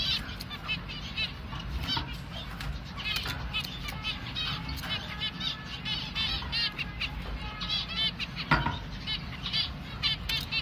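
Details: Young finch chick begging while hand-fed, pouring out dense runs of high squeaky chirps, louder near the end, with a sharp knock partway through and a low background hum.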